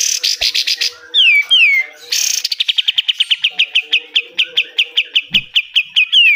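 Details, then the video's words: Pied triller in energetic 'besetan' song for training caged birds: a few descending whistled slurs, then a long, steady run of quick, sharp repeated notes lasting several seconds. "DAHSYAT sekali BESETAN KATEM, kapas tembak gacor, BUNYI KAPAS TEMBAK"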